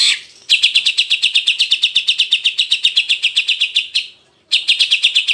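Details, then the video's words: Greater green leafbird, jantrok style, from a masteran training recording: a long run of sharp, high chipping notes about four per second, a brief break, then the fast series resumes. "CUCAK IJO Auto JANTROK denger Suara Masteran ini"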